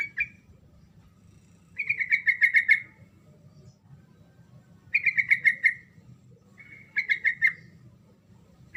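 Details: Sooty-headed bulbul in full 'ngerol' song, played so that mute bulbuls answer: repeated bursts of six to eight fast, bubbly, slightly falling notes, each lasting about a second and recurring every two to three seconds, over a quiet hum.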